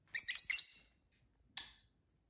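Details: Pet lovebirds, several kept together, chirping at dinner time: three rapid, sharp, high chirps in quick succession, then a pause and a single thin chirp.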